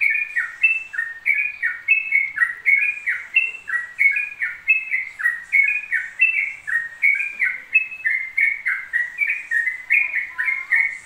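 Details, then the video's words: Long unbroken ropel song by a Yellow-vented bulbul: rhythmic cascade of whistled notes rising and falling in short steps, roughly two per second for the whole eleven seconds, background otherwise quiet. "TRUCUK ROPEL 2 MENIT TANPA JEDA"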